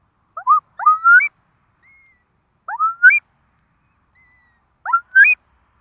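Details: Curlew at a nest with four newly hatched chicks, in Curlew Country: three repeated phrases, each a quick pair of low notes followed by a rising whistle that ends in an upturned top note, with thin high whistles between phrases.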